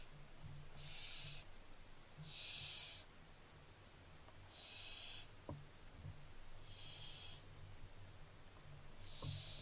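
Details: Barn owlets recorded 15 July 2024 making five separate harsh hisses spaced one to two seconds apart, with occasional soft clicks and a low hum.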